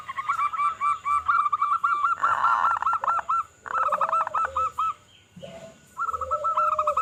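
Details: Loud-voiced local zebra dove in full song, recorded to lure other zebra doves: dense, overlapping staccato coos from several birds, rapid and bubbling, broken by a burst of noise and then a short pause before the cooing resumes.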